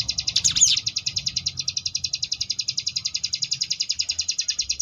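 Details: Sunda bush warbler (ciblek gunung) in ngebrem variation, kept as tutor song for competition birds: one swooping flourish, then a steady rapid buzzy trill of evenly repeated high pulses to the end.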